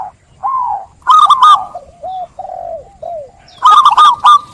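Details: Zebra dove cooing: gentle low downslurred notes alternating with sharper stuttering bursts, in a steady rhythmic pattern.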